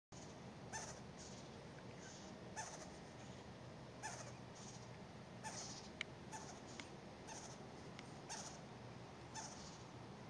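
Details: Western Screech-Owl fledglings, two of them, give soft, hoarse hissing begging rasps about every half second to second, over a steady high whine, at night in dark woods while an adult feeds them shredded Western Tanager meat.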